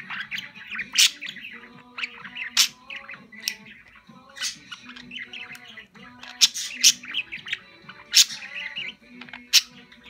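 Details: Domestic budgerigar in a cheerful mood, singing as it hops back and forth; a continuous busy warble of clicks, squeaks and high chirps, with a faint low hum beneath.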